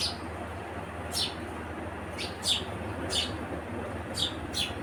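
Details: House sparrow giving short, sharp, downward-slurred chirps spaced about a second apart over a steady low background hum.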